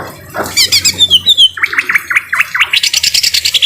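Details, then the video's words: Greater green leafbird with a harsh voice, a training recording for caged birds: high chirps, then sharp down-slurred notes in a quick series, ending in rapid buzzy repeated chirps. "Masteran cucak ijo suara kasar dan suara air hujan"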